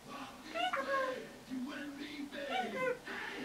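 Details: Pet red-bellied parrot, a young female about 10.5 months old, talking indoors: low, voice-like mimicked syllables with gliding tones, several short phrases in a row.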